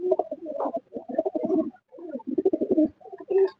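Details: Desi (local) domestic pigeons in their loft cooing in low, throaty, rolling bursts that repeat in quick succession. They stop calling when a person comes close.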